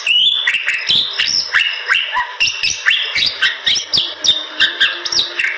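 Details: Bali myna, endemic to western Bali's forests, sings a loud, continuous stream of varied whistles, chirps and rising squeaky notes, delivered rapidly with almost no pauses.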